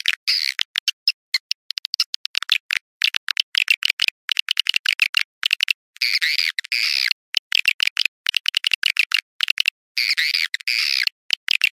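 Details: Swiftlet sound in the style called Awan hitam: dense, rapid chirps and twitters, some with rising-falling sweeps, in choppy bursts separated by brief silences throughout. No low sounds or background noise.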